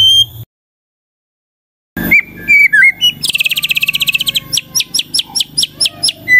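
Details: White-rumped shama singing, a song said to draw other shamas into answering: after a silent gap come short clear whistles, then a fast rattling trill of rapid repeated notes and spaced sharp chips.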